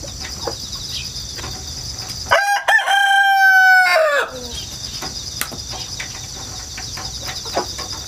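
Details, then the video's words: Countryside rooster, hatched at home and kept in a rural yard, crowing repeatedly on 1 September 2019. A single two-second crow, broken opening then a sustained tone falling away at the end, framed by steady insect chirring in the pauses. "닭 울음소리 자연 소리 꼬끼오 수탉"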